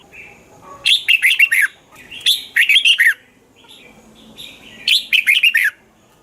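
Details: Red-whiskered bulbul from Thailand, a song recording for rousing caged birds. Three rapid phrases of four or five bright, warbling notes repeat every one to two and a half seconds, with soft lead-in notes between them.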